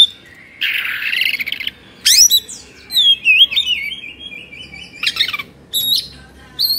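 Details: Indonesian kept Oriental magpie-robin in an agitated mood, tail fanned. A buzzy, scratchy phrase opens, followed by sweeping whistles, a sustained warbled run and sharp high chips spaced apart.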